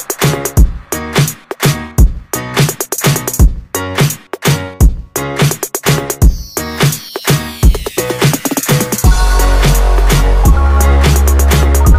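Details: Loud electronic music with a heavy, fast drum beat and deep bass throughout; no animal voice can be picked out.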